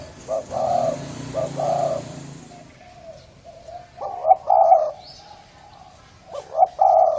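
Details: Thai spotted dove, hoarse type, used as a lure for males and females: repeated phrases of short rising notes followed by husky drawn-out coos, about three phrases, with a low rumble early on.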